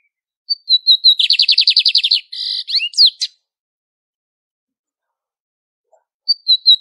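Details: Lined seedeater, widespread across Brazil, singing its classic song: a few high thin notes, then a fast run of about a dozen buzzy trilled notes, a short harsh burst and quick slurred chirps, then silence and more thin notes.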